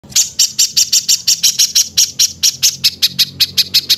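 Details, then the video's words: Songbird 'tembakan kasar' masteran material, rough rapid-fire bursts for tutoring cage birds like Cucak ijo and Murai batu: harsh, high buzzy notes repeated about five times a second, steady throughout, over a faint low hum. "Tembakan Kasar Masteran Kompilasi Mewah Untuk Semua Jenis Burung Cucak ijo, Murai batu"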